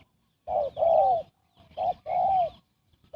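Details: Spotted dove cooing quickly as a trapping lure: two phrases, each a short note followed by a drawn-out, smooth coo that slowly falls away. Silence between phrases, and a clipped note starts at the end.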